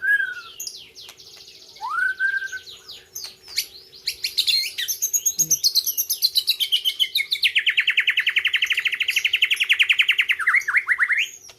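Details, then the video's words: Competition-singing white-rumped shama from Gayo, Aceh, in 2021, giving rich whistled phrases and sharp high notes, then a long fast rattling trill lasting several seconds before a final rising whistle. "ALUNAN MERDU MURAI BATU POLEM"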